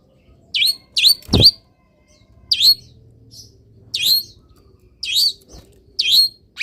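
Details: Misted and warmed by morning sun, a caged cendet (long-tailed shrike) repeats short bright hooked whistles at irregular intervals, one loud clap-like knock among the opening notes.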